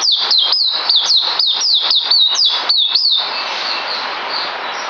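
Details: White-eye on 9 December 2018 delivering quick, high, falling whistled notes for about three seconds, then the song stops and only a soft hiss remains.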